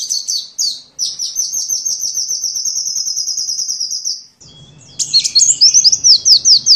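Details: Sunbird singing for songbird training: a long, very fast high trill lasting about four seconds, a short break, then a run of looping rising-and-falling twittered notes over a faint low hum.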